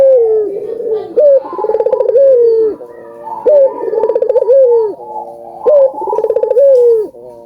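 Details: Albino collared dove (burung puter) in full song, meant to stimulate other doves to call; three phrases of a clipped rising note, a fast throbbing roll and a long downward-sliding coo, spaced roughly two seconds apart.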